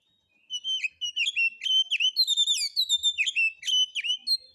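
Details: White-rumped shama lure song of harsh, rough material meant to provoke other birds to sing: rapid run of high whistled notes swooping down and up, repeated in quick phrases without pause.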